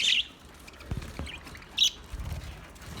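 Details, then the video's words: Budgerigars in an aviary: two short, high chirping bursts, one at the start and one near the two-second mark, with soft thumps and rustling between them. "budgie sounds to make them sing,budgie sounds australia,budgie aviary sound"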